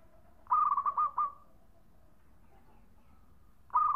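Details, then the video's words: Zebra dove, a local bird with a lively khong-style song used to draw other birds: one rapid, bubbling, trilled coo phrase, then the start of another a few seconds later over quiet background. "Suara Khong Perkutu Lokal Gacor Jagonya buat Pancingan"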